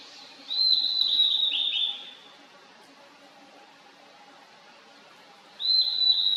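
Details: Valley song of a Blue-and-white flycatcher, 2023: a warbled, whistled phrase of roughly one and a half seconds, followed by a long pause before another phrase starts.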